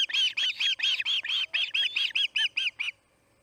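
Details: Osprey at the Charlo nest on August 8, 2018, 5:30 pm MDT, screaming: a rapid series of about a dozen sharp, ringing, slightly down-slurred whistles, evenly spaced and loud, ending abruptly into quiet.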